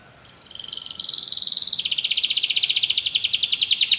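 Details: Canary trill starting soft and swelling into a loud, rapid, high pulsed roll against a faint background hiss.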